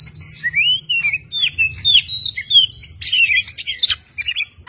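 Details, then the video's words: Oriental magpie-robin in a masteran training recording, singing a rich run of slurred whistles that rise and fall, then a dense scratchy chattering burst before more high whistled notes; faint low hum beneath. "MASTERAN KACER MEWAH"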